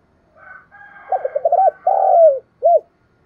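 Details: Spotted dove cooing in the morning to call others in: a soft opening murmur, a rapid stuttered run of coos, one long sliding coo, then a single short arched note, over a faint steady tone.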